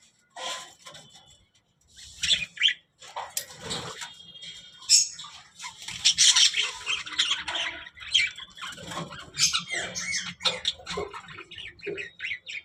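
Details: Budgerigar, a talking parrot, keeping up long busy chattering with squawks, clicks and warbled notes, occasional low background hum.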